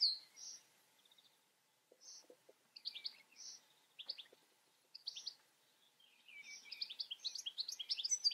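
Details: European goldfinch with spaced single chirps and short twitters at first, then a fast, continuous tinkling warble building over the last two seconds.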